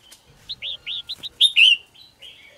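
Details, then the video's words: Caged red-whiskered bulbul singing in the morning: a run of five quick whistled notes, each dipping then rising, followed by two loud ringing downward-slurred whistles and softer trailing warbles. "chào mào hót sáng QUÁ HAY"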